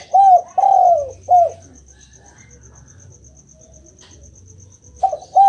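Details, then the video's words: Spotted dove call meant to get a silent pet dove answering: three mellow coos in quick succession, the middle one longest and falling, then a pause of about three seconds before two more coos begin, over a faint steady high ticking. "Denger suara ini, burung derkuku langsung nyaut"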